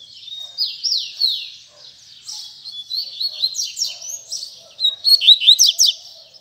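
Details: Double-collared seedeater performing its tui tui zel zel song: loud downslurred whistles, a sustained thin note, then quick bursts of rising and falling chirped trills repeated several times.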